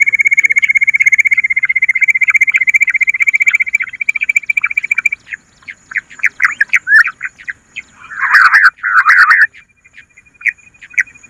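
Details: Bush quail call for luring: a long, even, rapidly pulsed trill, then scattered chirps and two loud, harsh squawking bursts.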